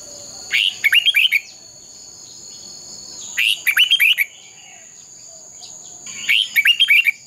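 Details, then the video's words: Red-whiskered bulbul giving fighting song to train birds: three bursts of rapid, rising-and-falling whistled notes about three seconds apart, over a steady shrill high tone. "Chào mào hót đấu"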